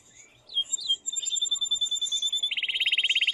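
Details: Aroused male canary in strong song meant to stir a female to mate and to be heard by young birds: thin whistled slides give way to a rapid, loud rattling trill.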